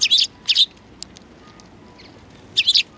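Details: Sparrows coming to a Tenmangu shrine to be fed on 7 February 2020; three short, bright chirps, two close together at the start and one a moment later, over quiet background.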